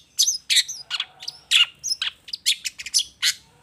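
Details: Song of a long-tailed shrike played as a lure to get other shrikes answering; sharp squeaky notes and harsh chirps delivered in a brisk, irregular sequence.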